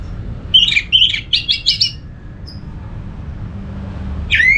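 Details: Anis merah, the orange-headed thrush, sings a quick string of scratchy chirped notes, falls quiet, then starts a rising whistled note. The recording is used to spur other thrushes into song.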